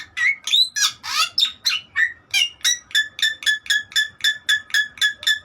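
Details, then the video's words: Bali myna song opening with buzzy sweeping squawks, then settling into a steady series of sharp, clipped notes repeated nearly four times a second, each with a bright whistled overtone. "JALAK BALI MEWAH"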